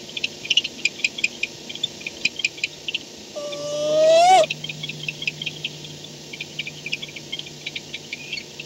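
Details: Barn owl returning to its nest at night, 4:38 am on 2-10-16; a single harsh, harmonic-rich call of about one second, slightly rising then cut off, set among steady rapid ticking and clicking sounds.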